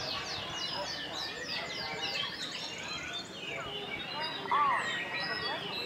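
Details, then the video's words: A canary in long continuous song: fast rolling trills and bright chirps sweeping high and low without pause, with a sharper whistled phrase near the end over a faint background hiss. "Pancingan kenari gacor NGEROL panjang"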